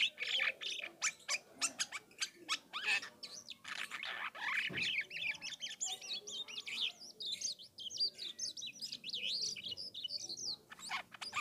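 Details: Asian glossy starling from the Philippines, a lively singer used as a lure so other starlings answer; varied song with rapid harsh clicks and chips, then a long run of fast wavering whistled notes.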